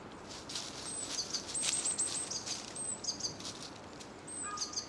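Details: Japanese tit singing, with crunching dead leaves underfoot: thin, high two-note phrases repeated several times in quick succession, fairly faint over steady rustling, with a brief lower whistle near the end.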